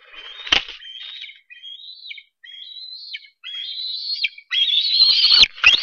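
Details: Bald eagle eaglet begging at Harrison Bay nest cam on 10 July 2015 while a parent delivers fish: high, thin whistled squees with falling tails, building into longer, louder, strained squeals, with a few sharp clicks or knocks.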